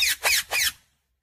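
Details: Pet talking parrot indoors, known for saying 'mummy papa', giving three harsh, rasping bursts in quick succession, each loud and broad, then falling silent.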